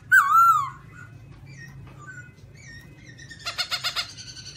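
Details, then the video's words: Garrulax chinensis, white-cheek black-throated laughingthrush, opens with one loud wavering whistle, followed by soft scattered chirps and a closing burst of harsh, buzzy repeated notes. "Garrulax chinensis white cheek singing, beautiful shape, singing sound or just like in the wild"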